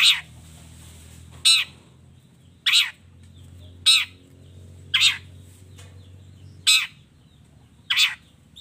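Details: Long-tailed shrike in a combination track of fill-in phrases: short, harsh, scratchy notes repeated roughly every second, seven in all, over a faint low hum.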